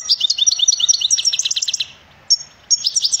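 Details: European goldfinch singing: rapid, bright, tinkling twitters and trills in quick bursts, a short pause, then a single sharp note and a fresh run of liquid chirps.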